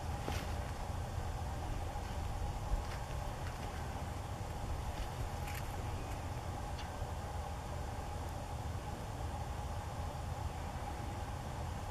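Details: Steady low rumble of passing traffic with a few faint clicks, and no animal calls.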